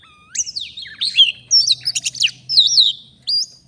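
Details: Wild Oriental magpie-robin singing vigorously at a luring spot in Indonesia: bright slurred whistles and rapid chattering notes in quick bursts, with a faint low hum beneath.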